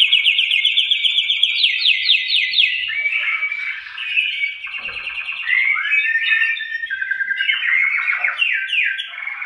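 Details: Male canaries singing, one strong singer answered by other males, used to stimulate breeding: dense continuous rapid trills and rolling chatter, overlapping voices sliding between phrases without pause.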